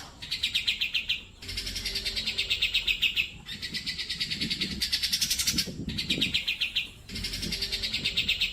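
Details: Grey-cheeked bulbul (cucak jenggot) singing for use as a training reference for pet birds: long bursts of rapid, chattering high notes separated by short pauses, with faint low rustling beneath.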